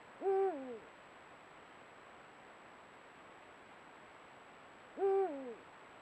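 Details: Pair of Eurasian eagle-owls at golden sunset, trail camera: a pair of deep hoots spaced nearly five seconds apart, each swelling upward, levelling off, then dropping to a fading low tail.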